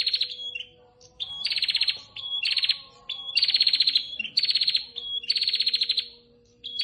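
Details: Female prinia calling the male: bursts of buzzy, rapidly pulsed notes, each about half a second long, alternating with short clear whistled notes. The phrases repeat at a steady pace over a quiet background.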